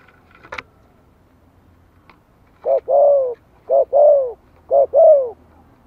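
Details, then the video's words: Spotted dove giving a gentle 'Giọng Thổ' style lure call, meant to get newly kept wild birds calling. After a quiet start with a faint click, three paired coos arrive about a second apart, each a short note then a longer arched coo. "Tiếng chim cu gáy Giọng Thổ kích mồi nhẹ nhàng - Bổi mới nuôi nghe nhanh nổi."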